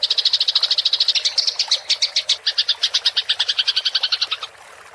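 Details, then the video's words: Eurasian tree sparrow in a fighting rolling chatter, recorded as a tutor for songbirds: dense, rapid chirps of fairly even pitch run for over four seconds, then stop abruptly into quiet. "MASTERAN GEREJA TARUNG NGEROL suara jernih + jeda air"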